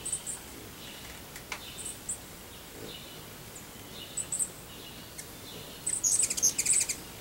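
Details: American goldfinch feeding on sunflower seeds gives thin, high chirps scattered through the clip, then a quicker tinkling cluster near the end, over a faint outdoor hiss.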